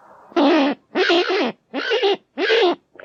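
A kakapo gives harsh, hoarse squawks, each under half a second, repeated about every 0.6 seconds in a rough, grating series.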